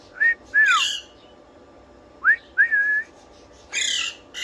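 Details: Parrot whistling at home: a short whistle, a downward-sliding note and a harsh squawk, then a rising whistle leading into a long steady tone, ending in another rough squawk.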